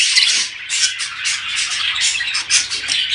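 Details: Budgerigar flock noise used to stimulate mating: rapid, crowded squeaky chatter and harsh little squawks pulsing in quick bursts, with a few thin whistled notes early on.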